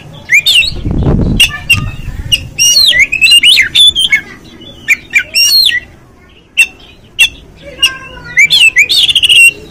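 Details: Oriental magpie-robin song used as a lure to provoke a bird into singing and opening its tail: loud, varied whistles, rising and falling sweeps and sharp chips in rapid phrases, with a brief low thump near the start.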